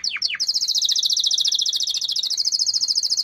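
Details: Two quick downward-slurred whistles open this canary phrase, followed by a long, fast, high trill at an even pitch that runs to the end, over a faint background hiss.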